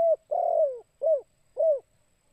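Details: Spotted dove in the 'kuk 2' calling style, a lure voice for attracting doves: one short coo, then a long level coo, then two short downslurred coos, each low and mellow, in a clean, quiet setting.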